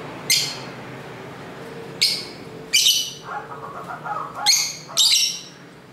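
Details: Lovebirds singing and talking to each other, home recording with a camera mic beside a main street: a series of harsh, high shrieks at irregular intervals, with softer warbling chatter in between and street noise.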